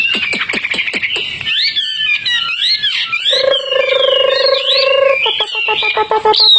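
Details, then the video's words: Wambi, the Hwamei, a tame outdoor bird singing hard: quick downward-swept notes open into varied warbled phrases, then a steady low buzzy tone held about two seconds, and rapid clipped notes to finish. "Wambi Hwamei Gacor jinak total outdoor"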